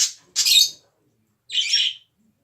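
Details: Pet parrot giving harsh, hissing cough sounds: two close rasping bursts, a short silence, then one more scratchy cough.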